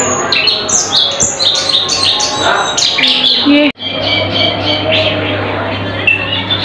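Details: Cucak keling, noted for mimicking other songbirds, sings loud sharp chirps and squeaky notes in fast bursts, breaks off for a moment, then resumes with more scattered high chirps over a low hum.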